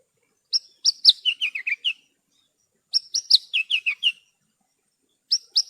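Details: Masteran song of Horsfield's bush lark: a phrase of clear high whistles dropping into quick downward-slurred chirps, repeated after a short pause. A new phrase starts at the end.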